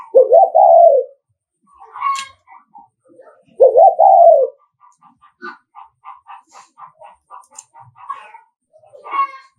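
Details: Spotted dove giving a thúc gù driving coo, used to provoke and lure rival males: two loud, rough, wavering coos a few seconds apart, with a run of short clicking notes and brief chirps between and after them.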